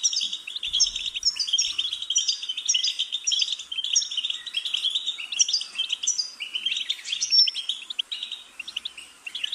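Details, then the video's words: Goldfinch delivering a long, unbroken twittering warble of tinkling notes and buzzy trills, with a brief low thump near the start. "Goldfinch's Singing"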